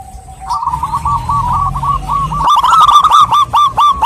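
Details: Zebra dove, a female calling to a male, gives rapid repeated hooked coos. They start softly, then grow louder and denser halfway through, with sharp higher harmonics above and a low rumbling background.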